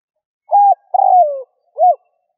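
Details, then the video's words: Spotted dove in a 2021 recording played to attract wild doves. It gives a low three-note coo: a flat short note, a long sliding-down note and a clipped arched ending. No background sound. "Tiếng chim cu gáy kích bổi"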